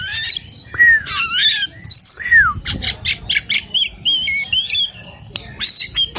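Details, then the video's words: Oriental magpie-robin of wild forest stock in varied song: looping falling whistles, clear upward slurs and trills interspersed with harsh scratchy notes in quick, uneven bursts, low rustling noise underneath. "BURUNG KACER ALAS AMAR"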